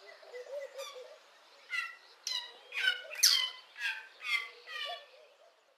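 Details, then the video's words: In a garden early in the morning, a lesser striped swallow gives a steady series of nasal, buzzy harmonic notes, about two per second, with one louder squeaky burst midway. "Lesser Striped Swallow song"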